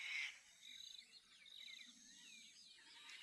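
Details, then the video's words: Jungle babblers ("seven sisters") chatter from a distance in the Rajaji National Park forest in the evening during Navratri, a tangle of squeaky, harsh, overlapping notes from several birds over a faint forest hum. "7 सिस्टर्स वहाँ से बोल रही हैं।"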